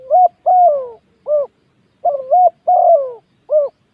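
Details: Spotted dove used as a ground decoy bird coos two full phrases in quick succession, each made of a wavering coo, a long sliding downward note and a clipped last note, clear and close.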